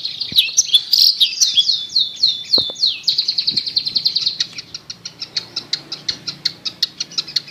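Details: Long-tailed shrike heard in a lure recording for a silent bird: a few seconds of varied slurred whistles, then a long run of short, sharp clicking notes repeated several times a second.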